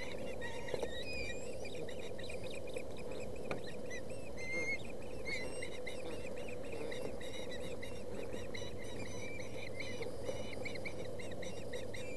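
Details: Ospreys at a nest camera in Boulder County, 20 August, young fighting over a fish after a parent's delivery; repeated clipped whistled chirps, slurred upward, in steady rapid series over a constant low hum.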